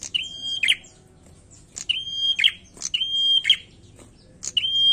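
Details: Energetic singing from a bar-winged prinia: a flat thin whistle then a scratchy buzz, given about once a second in regular succession, the last phrase cut off.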